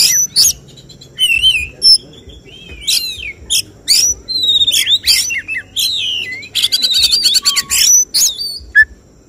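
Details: Oriental magpie-robin (kacer) at a songbird contest, giving the judge-targeted 'tembakan' shooting song: twisting whistled slurs and sharp chips, then a long grating buzzy burst, ending in a lone whistle.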